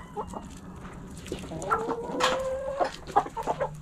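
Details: Backyard coop chickens: scattered soft clucks lead into a long, level, drawn-out tonal call, then more short clucks over a low steady hum.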